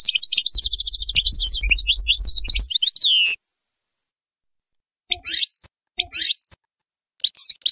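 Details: European goldfinch song in a style called baynam ghazarat, played for teaching young birds: dense, high twittering and tinkling phrases for about three seconds, then short separate bursts of sharp chirps with silent gaps, over a low steady hum.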